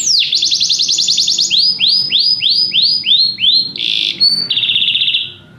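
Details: Canary song switching between tours: a dense high trill, a row of slower downward-swooping whistles, a brief harsh burst, then a flat sustained roll that fades out.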